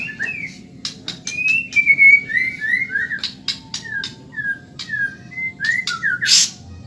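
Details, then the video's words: Medan-type white-rumped shama in fast, lively training song for caged birds: a series of separate slurred whistles, mostly falling in pitch, spaced irregularly, with sharp clicks between notes and a short harsh burst near the end. "Masteran burung murai Medan super cepat gacor"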